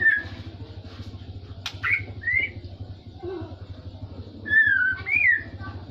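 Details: Magpie-robin giving trocok-style song: clear whistled notes that slur up and down, a longer falling-then-rising phrase near the end, with one sharp click and a persistent low hum behind.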